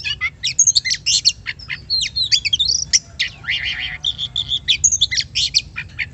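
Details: Oriental magpie-robin singing, a recording played as a lure to get other birds singing; fast mixed phrases of high whistled slurs, harsh squawky notes and a short buzzy trill, over a faint low hum.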